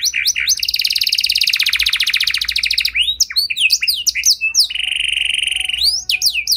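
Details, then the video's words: Canary delivering a song intended to get other canaries singing in reply: quick chirps leading into a dense buzzing trill, then swooping whistles and a flat sustained tone. "Kenari Gacor Lagu Istimewa! Langsung Nyaut Kenari Mana Saja Dengan Suara Burung Kenari Ini"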